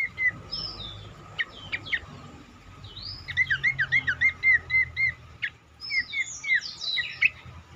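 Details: Cingcoang singing as a lure to make other cingcoang sing more: scattered chirps, then a fast series of wavering whistled notes with higher buzzy overtones, ending in mixed chirps, with a soft low hum behind.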